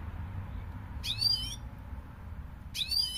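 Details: European goldfinch sounding two quick, high twittering bursts of slurred, rising-and-falling notes about a second and a half apart, against a quiet low hum.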